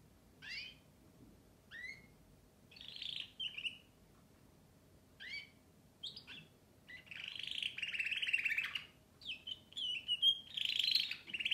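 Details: Canary singing: spaced upswept chirps, then building into a continuous loud rolling trill and buzzy warbling phrases.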